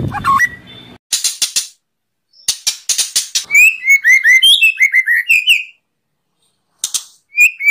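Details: Kretekan song of a white-rumped shama, used to provoke emotion in other birds, dated 24 January 2023: sharp clicking bursts, then a rapid string of looping, slurred whistles, silence, and a final whistled phrase.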